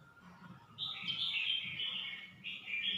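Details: Red-whiskered bulbul, Suan Phueng, Ratchaburi: a rolling run of mellow warbled notes that starts softly and swells, against a steady background hiss and low hum.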